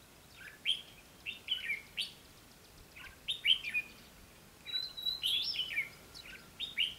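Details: Red-whiskered bulbul used as a decoy in a trap, singing to lure and challenge wild birds, recorded 20 May 2016 in Vietnam: short bright whistled and warbled phrases, rising and falling, given in bursts every second or so.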